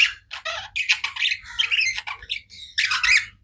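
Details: Tame budgies give busy squawky chirps and scratchy chatter, rapid choppy notes running almost without pause and ending on a louder harsh burst.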